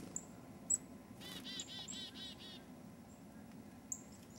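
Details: Chickadee filmed in early 2008 near Fergus, Ontario gives a quick run of about six harsh, buzzy dee notes, with a few thin, high tsee notes before and after over a low rumble.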